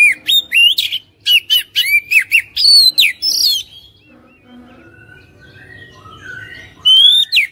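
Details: Oriental magpie-robin song played to make a caged bird sing: rapid loud bursts of whistled and buzzy notes with sliding rising and falling phrases, a quieter pause of softer distant chirps, then another loud burst at the end.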